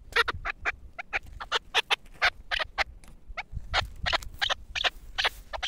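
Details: Pamir chukar partridge, a four-year-old caged and tethered hunting bird, giving rapid sharp broadband chattering notes in uneven bursts, faint rumble beneath.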